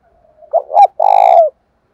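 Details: Lure spotted dove in 'thổ pha' voice, provoking wild doves. A soft lead-in hum, then a paired coo and a long, evenly pulsing coo tapering downward.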